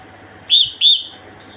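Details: Female red-whiskered bulbul calling: two short, loud whistled notes in quick succession, each slightly rising then falling, about a third of a second apart, over a quiet background with a faint low hum.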